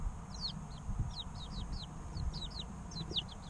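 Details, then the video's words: Several three-week-old baby chickens give quick, falling high peeps several times a second, recorded to encourage hatching in an incubator, over a low droning hum. "Chicks Chirping Sounds 2 - Baby Chicken Sounds"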